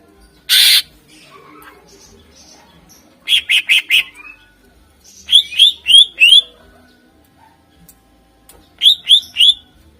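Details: Greater green leafbird (cucak ijo) in vigorous 'gacor' song, used as a lure for contest birds: a harsh rasp, then three quick series of sharp, hooked, rising whistles, four or five notes each, spaced by short pauses.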